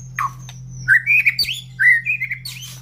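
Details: Caged white-rumped shama giving short rising whistled phrases and brief warbles, with a thin high whistle early on and a constant low hum behind.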